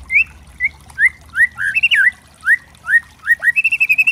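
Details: White-rumped shama, known as murai trotol, singing a loud lure song with crackling kretekan variations meant to provoke other shamas: short clear upslurred whistles about every half second, a twisting phrase, then a rapid run of repeated high notes.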